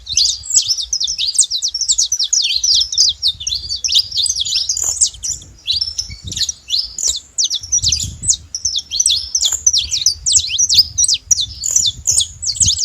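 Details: A wild flock of saffron finches keeps up a long, busy chatter of high chirps, trills and downslurred notes, many voices overlapping with only brief lulls.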